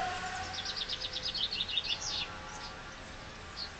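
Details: Chaffinch singing in spring: a bright descending series of rapid high notes lasting about two seconds, ending in a short flourish, followed by a brief separate high note over faint background noise.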